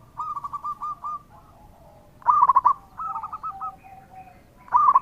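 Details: Zebra dove, local type, singing actively in a lure track meant to trigger replies. Soft, evenly beaten coos alternate with louder stuttering phrases. Faint overlapping notes hint at a second dove.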